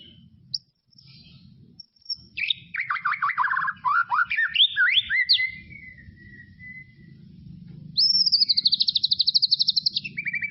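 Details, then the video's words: Tropical forest white-rumped shama: a burst of jumbled, sharply falling whistled notes, a long thin descending whistle, then a fast, even, high-pitched rattling trill near the end, over a low background hum. "SUARA KICAUAN MURAI BATU HUTAN TROPIS"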